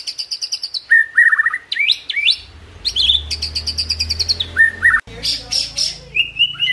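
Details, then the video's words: White-rumped shama pouring out a rich, fast song of clear whistles, slurred notes and rapid trills, switching between high and middle pitches with brief gaps; low rumbling noise in the background. "Tembakan & Isian Murai Batu // AmAzing Bird chirping"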